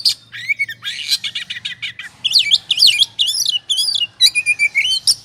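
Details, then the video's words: Oriental magpie-robin in 'ngobra' state, singing as a lure to provoke other birds. Rasping chatter gives way to rolling, swooping whistled phrases in quick succession, over a faint low hum. "Pancingan suara kacer ngobra,,pasti emosi dan gacornya terpancing.."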